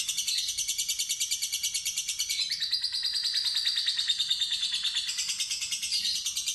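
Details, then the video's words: Fighter lovebird in a long ngekek trill, high rattling chatter with steady beats near three per second, pitch shifting slightly midway and running unbroken throughout. "Lovebird Fighter Ngetik Ngekek Terpanjang"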